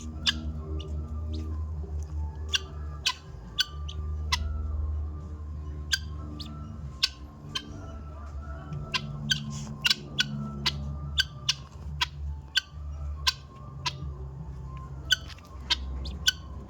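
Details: Helmeted guineafowl in Assam giving sharp, harsh clicking calls at irregular intervals over a low rumble.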